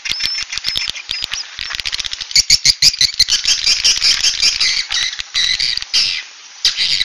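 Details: Swiftlet roosting call ("suara inap"): quick clicks building into a dense, excited chatter of high chirps and twitters, then a brief lull and renewed twittering.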